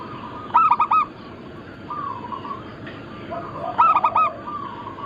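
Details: Two brief bursts of rapid, bubbling coos from a local zebra dove used for luring and training, about three seconds apart, with faint drawn-out coos and a hissing background.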